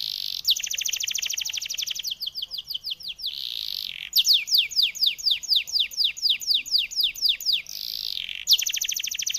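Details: Canary singing loudly in the 'ngoceh dor dor' manner. Dense rapid trills alternate with series of sharp descending sweeps and short buzzy bursts, each phrase running several seconds with no pauses.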